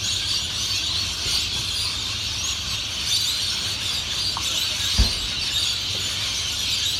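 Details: A dense, unbroken wash of shrill screeching and chattering from many lorikeets calling at once in Cairns in 2018, with a low rumble of traffic underneath.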